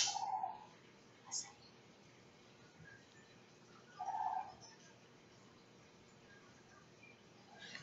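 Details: Two sandhill cranes walking through a backyard give their yelling call, two rolling, trumpeting calls about four seconds apart, heard faintly from indoors against a quiet room hiss.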